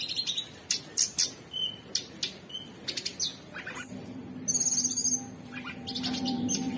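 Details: Orange-bellied Leafbird (cucak cungkok) song of sharp clicks, chips and short whistles, then a brief buzzy high trill, over a steady low hum in the second half.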